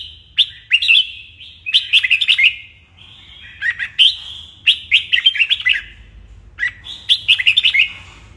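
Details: Morning contest-style song of a red-whiskered bulbul being trained: short, rich warbled phrases of three to six quick whistled notes, repeated about every second or two with brief pauses between.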